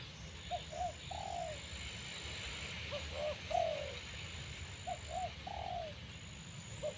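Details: Newly caught spotted dove kept beside an older bird so it learns to coo on a branch for decoy use: repeated mellow coo phrases, each a couple of short notes ending in a longer drawn note, over constant high hiss.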